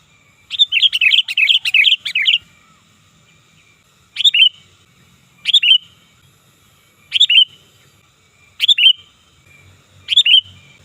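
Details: Sooty-headed bulbul, a loud, lively call used to lure birds and to tutor other birds. A two-second burst of rapid bubbly chirps comes first. Short three-note phrases follow about every 1.5 seconds, each ending in a slurred whistle, over a faint low hum.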